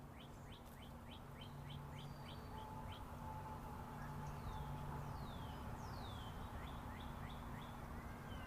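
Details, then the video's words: Wild birds tweeting outdoors, raw unlooped recording: quick rising chirps repeated about four a second, then several long descending whistles and more chirp series, over a steady low roar of interstate highway traffic. "Chirping Birds"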